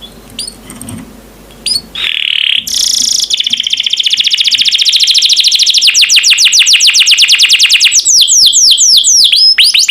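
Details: Canary master song used to train birds to sing: a few sharp chirps, then a loud buzzy burst flowing into a long fast rolling trill of rapidly repeated high notes lasting several seconds.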